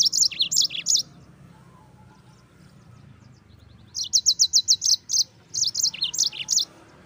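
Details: Rolling, insistent song of a yellow-fronted canary used to train white-eyes: one second of quick high notes, a pause, then a long run of evenly spaced sharp chirps and slurred notes lasting over two seconds.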